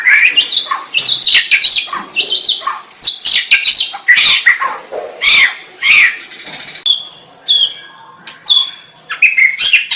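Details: Loud, rich song of a white-rumped shama: dense bursts of sharp chips and whistles, then a quieter stretch of pure drawn-out whistled notes.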